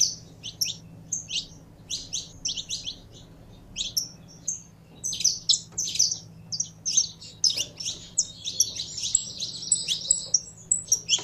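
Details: Saffron finch chirping, starting with spaced high notes that build into a faster, denser stream of sharp chirps and trills toward the end.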